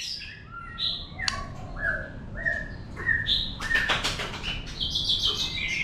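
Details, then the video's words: White-rumped shama giving wild-type song to provoke other birds: mellow whistled notes at varied pitches, then a burst of broadband rustling or fluttering and higher warbled phrases, with background hiss. "chòe lửa hót giọng rừng kích bổi, kéo rê kích bổi căng lửa. chim chòe lửa hót hay"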